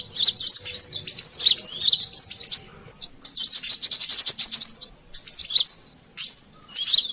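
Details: Brown-throated sunbird in a noisy lure recording: rapid, high-pitched twittering with sharp chips and squeaky slurred notes in bursts of two to three seconds, separated by short pauses, ending with a rising squeak.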